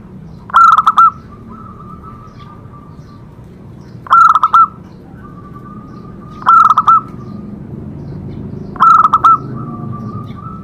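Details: Zebra dove singing, used as training material to prompt other zebra doves to sing: four phrases about every two to three seconds, each a fast cluster of clipped, ringing coos trailing into a level, sustained tone, over a faint low rumble.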